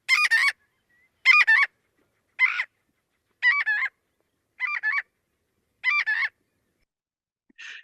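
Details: Marbled godwit; alarm call; alerting everyone to an intruder's presence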